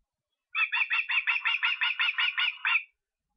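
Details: Osprey in Estonia, 23 August: one quick run of about eleven loud, whistled cheeping notes at an even, brisk pace, then silence.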